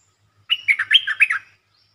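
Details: Short, fast-opening song of a red-whiskered bulbul: one quick phrase of half a dozen warbling, slurred whistles rising and falling, lasting about one second, clear against a quiet background.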